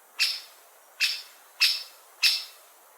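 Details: Great spotted woodpecker repeating four strong, high, clicking 'kik' calls in quick succession, roughly 0.7 seconds apart, loud and clear.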